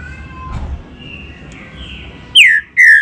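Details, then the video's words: A green-winged saltator (trinca-ferro) gives softer whistles, then two loud, rich whistled notes near the end, each sliding downward, over faint background noise. "CANTA MUITO TRINCA-FERRO"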